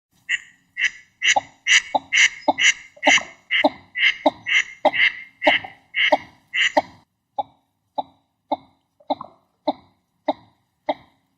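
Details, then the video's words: Northern shoveler ducks giving harsh, nasal calls. About a dozen loud, drawn-out notes come in quick succession over the first seven seconds, then shorter, quieter, clipped notes follow roughly twice a second. No other sounds. "Northern SHOVELER ducks GOOD call SOUND"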